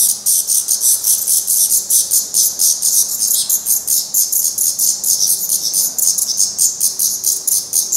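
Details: Black Redstart nestlings in Portugal, near fledging and still fed by the parents; a long, steady stream of high, sibilant calls pulsing roughly three or four times a second with no pauses.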